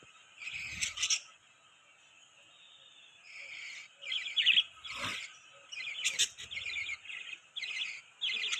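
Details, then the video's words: A group of budgies twitters in short, rippling, warbled phrases, bright chirps repeated in clusters with brief gaps between them. "Beautiful Budgies Chirping Sound"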